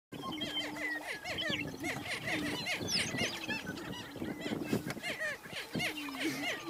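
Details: Two male greater prairie-chickens confront each other at a territorial boundary on a lek while a female is present. A sustained low hooting drone runs beneath dense overlapping cackles and sharp upslurred yelps, repeated rapidly throughout.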